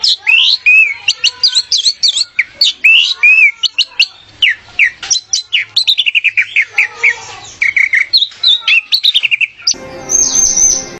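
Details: Orange-headed thrush singing on an Indonesian masteran recording made to train pet birds: a rapid, varied run of clear whistles, slurred up-and-down notes and short buzzy phrases, ending in a brief harsh noise burst.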